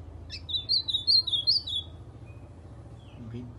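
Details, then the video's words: White-throated seedeater, kept by a fancier, singing like an ultramarine grosbeak: a sharp chip, then about six high, bubbling whistled notes in quick succession, followed by quiet, a low hum and faint voices at the end. "Golinha cantando AZULÃO"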